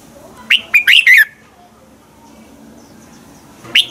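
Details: Morning song of a red-whiskered bulbul, meant to spur other bulbuls into singing: one phrase of four clear whistled notes, then a quiet gap and a single note. A light background hiss runs throughout.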